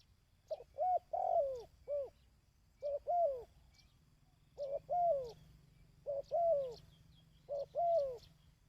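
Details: A dove repeats a cooing phrase five times for training decoy birds. Each phrase is a short note, a longer bending coo and sometimes a final drop, spaced about every one to two seconds.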